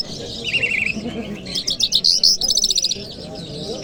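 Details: Lark in Kabul on a Friday morning gives a short quavering trill, then a burst of fast, clipped, high twittering notes that fades away, against a steady low background hum.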